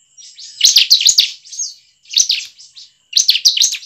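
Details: Lure recording of bar-winged prinia: three bursts of harsh, buzzy chirps, each a quick run of rasping notes, separated by short pauses, with a thin steady tone behind.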